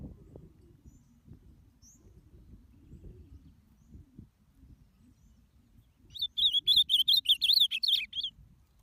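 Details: Ultramarine grosbeak song played to excite other birds: after several seconds of low background rumble, a quick burst of bright, wavering whistled notes starts and runs on for about two seconds.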